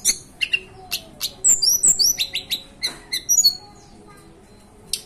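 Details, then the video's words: Song of a hill blue flycatcher native to the mountains of Banten and West Java, Indonesia: rapid high chirps and short downslurred whistles in a busy burst, then a quiet pause and one last sharp note. "Tledekan Gunung lokal asli Banten"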